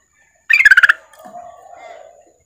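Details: Female yellow-vented bulbul calling the male, a quick burst of about seven harsh chattering notes in under half a second, followed by a low, hollow drawn-out tone.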